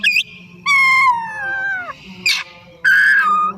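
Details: Afternoon song of an Oriental magpie-robin (kacer): a short high note, then a long clear whistle gliding slowly downward, a sharp burst, and a final strong whistle dropping in pitch.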